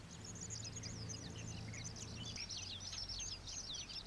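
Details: High, scratchy chattering of juvenile common waxbills, introduced escapees living wild at the old iron bridge wetland, Pingtung, Taiwan. Tightly packed twittering chips run throughout, over a low background rumble that drops away partway through.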